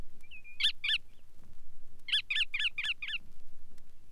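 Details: Bar-tailed Godwit (Limosa lapponica) from the Soviet Union gives a thin whistle, then two harsh nasal calls and a quick run of six more, yelping and slightly barking, about three per second.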